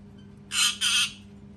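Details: Parrot screaming loudly: two harsh, broad, raspy screams in quick succession, each about a quarter second long, with a steady low hum underneath.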